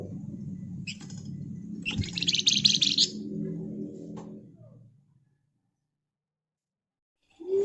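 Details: Flamboyan bird singing densely as a lure: a short high buzz, then a harsh scratchy burst of about a second over a low droning hum that fades to silence.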